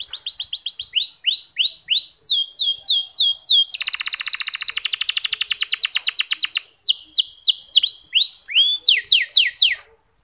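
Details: Local canary training song played to urge other male canaries to sing: quick upswept whistled notes, then a dense buzzy rattle, then more sweeping rising whistles before fading out.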